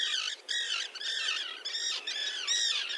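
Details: Small common tern colony with chicks on a concrete block in the sea near Liepāja, Latvia, June 2024. Loud, grating, arched screeches come in about six pulses, each with harsh ringing overtones.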